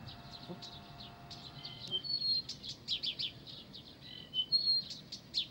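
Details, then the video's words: Blyth's reed warbler singing in Pavlodar: quick high chattering notes mixed with thin clear whistles, phrases run together without pause, a low steady hum beneath. "НА КОНЦЕРТЕ САДОВОЙ КАМЫШЕВКИ В ПАВЛОДАРЕ"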